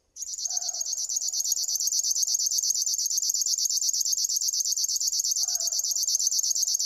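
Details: River warbler singing a steady stream of rapid buzzy pulses. Soft lower calls from another source come in twice, near the start and near the end.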